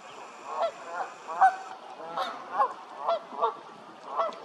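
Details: Canada goose honking in a loose series, about eight harsh, nasal honks with stacked overtones spread unevenly over four and a half seconds, some louder and closer than others, over a steady low background hiss.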